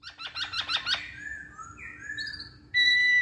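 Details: Song of a masked laughingthrush, played to encourage other birds to sing: a quick run of about eight sharp rising chirps, then drawn-out whistles and a sudden loud steady high tone at the end.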